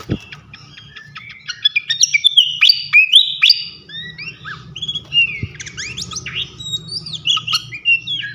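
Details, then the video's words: Fantail (srikatan kipas), a loud champion bird used to train songbirds. Continuous, varied song of sharp chirps, ringing whistles and quick slurred notes throughout, with faint low background hum and a couple of knocks. "gacoan ngeplong masteran asah mental burung jawara khas srikatan kipas"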